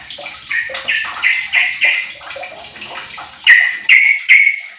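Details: A 15-year-old sooty-headed bulbul, used as a lure or tutor bird, sings a rapid run of bubbly, liquid mid-pitched notes, then three louder, brighter notes with sharp clipped starts.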